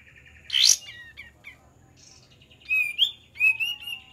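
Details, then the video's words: Kapas tembak, a bird whose song is used as a lure, giving scattered whistled notes near the middle of its range, a loud buzzy burst, then sliding whistled phrases and rapid trills; faint low hum underneath. "PANCINGAN KAPAS TEMBAK DIJAMIN NYAUT"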